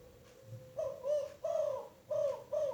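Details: Young female spotted dove at Rajeg Hill, Tangerang, its voice not yet powerful; a low cooing phrase of four soft hoarse coos after a faint lead-in, the notes short and evenly spaced about half a second apart.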